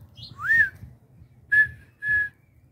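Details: Red-winged tinamou, known as perdiz, giving a long rising whistled note followed by two shorter, level whistles about half a second apart, over a low rumbling background.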